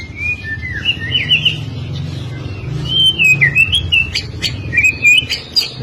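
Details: White-rumped shama song used as tutor material: varied looping whistled phrases rising and falling, interspersed with sharp high clicks, with a low background hum throughout.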